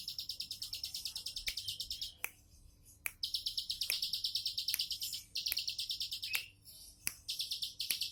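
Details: Bar-winged prinia in relaxed 'tembakan' song, delivering several bursts of a fast, high, buzzy trill separated by short pauses, with loud snapping clicks scattered throughout.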